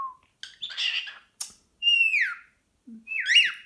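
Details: Pet cockatiel, hyperactive and excited at the sight of a sock, calling indoors: a harsh broadband squawk, then loud whistled notes sliding down from high to lower pitch, and a rising-falling whistle at the end.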